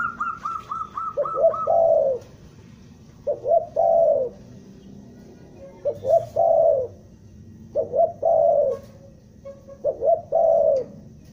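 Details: Spotted dove lure call for trapping, from Bandung. The clip opens with a quick run of higher repeated notes. Then come regular phrases of two short coos and a long descending coo, roughly every two seconds.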